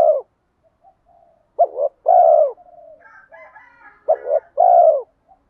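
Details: Spotted dove, a decoy with a 'giọng đồng' voice, luring wild doves: low rolling coo phrases ending in drawn-out coos, with a brief higher-pitched chatter from another bird in the middle.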